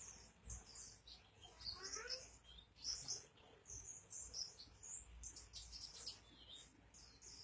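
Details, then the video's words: Oriental white-eye (pleci) in lively gacor singing: dense, very high twittering chirps strung together, with a few lower sliding notes mixed in and low background noise. "burung pleci gacor"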